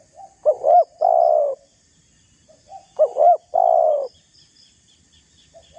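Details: Spotted dove calling to draw a rival into a fight: two phrases, each a soft lead-in, a bouncing double coo and a long drawn coo, separated by a pause, with faint chirps of small birds behind.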